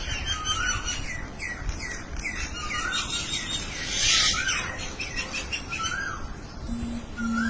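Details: Several birds exchange short rising whistles and twittering chirps, with a harsh noisy burst midway and a low steady hum near the end.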